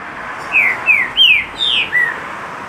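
Green-winged Saltator singing a phrase of five rich, slurred whistles, each sliding downward, delivered at a steady pace over a faint background hiss.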